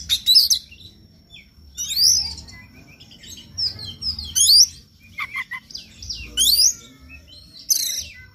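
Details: Morning lure song of an Oriental magpie-robin, played to provoke a bird into steady full singing; loud high sweeping whistles and rapid trilled bursts alternate with short pauses, one phrase roughly every second.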